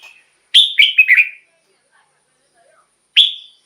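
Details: Red-whiskered bulbul singing to rouse caged birds: one phrase of four lively whistled notes dropping slightly in pitch, a quiet pause, then a single bright note.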